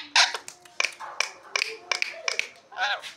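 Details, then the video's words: A talking parrot mimicking human speech, uttering a rapid string of short, high, speech-like syllables in clipped bursts with brief gaps, in a quiet indoor setting. "talking parrot"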